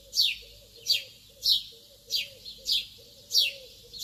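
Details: Early-morning lovebird calls: piercing, descending chirps about every 0.6 seconds, six in four seconds, over a quiet, wavering lower note.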